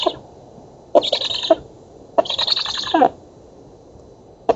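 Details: Black stork chicks at feeding on a Polish oak nest, nest-camera footage from 11 August 2017. Two long wheezy hisses with ticking edges, and a third just starting at the end.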